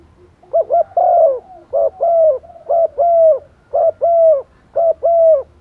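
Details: Rainy-season calls of a decoy female spotted dove to attract males: about six quick phrases in steady succession, each a brief doubled note followed by a longer, slightly descending hooting coo.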